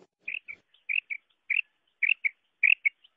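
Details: Female quail calls, as used in quail hunting, come as quick doubled high chirps repeated about every half second. Each pair has a stronger first note, and the background is clean and quiet.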